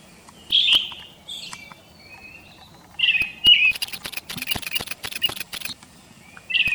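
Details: Brown-headed thrush from a field guide recording: clear whistled phrases, some with rapid trilled tails, separated by brief silences, with a patter of dry ticking clicks between them.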